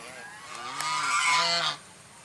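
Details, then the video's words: White swan uttering a single drawn-out, rasping honk that swells and fades over about a second, softer than nearby calls, against faint background hiss. "SUARA ANGSA PUTIH"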